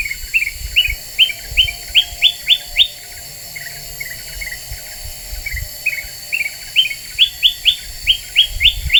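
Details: Lure recording of a very vocal Black-winged bulbul meant to agitate other birds: fast bursts of bright, flicked chirps alternating with quieter, lower twitters, with faint low rumbling beneath.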